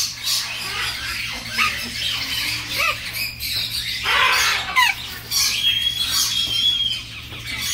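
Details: Young red-tailed grey parrot visiting friends, expressing affection to its friend; series of harsh, raspy squawks with short rising and falling shrill notes, ending in a brief clear whistled tone, recorded in a hum-filled room.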